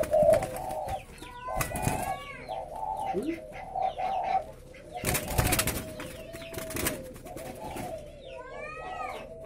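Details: Many captive spotted doves at a Vietnamese breeding aviary in Ba Vì district. A continuous droning coo chorus comes with bursts of high chirps and rising squeals, plus loud broadband knocks and rustles.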